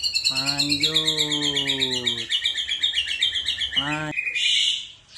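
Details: Continuous shrill, rattling high trill from a white-rumped shama whose repertoire includes cililin, jenggot and kapas tembak, drifting slightly lower near the end; a man talks twice underneath.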